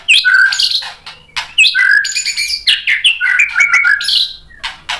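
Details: Provoked white-rumped shama answering a fighter bird and pouring out its varied repertoire: loud slurred whistles, rising and falling, mixed with rasping chatter and sharp high ticks in a dense, continuous stream.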